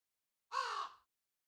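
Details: One rasping crow caw, short and coarse with a brief fade, with nothing else heard before or after.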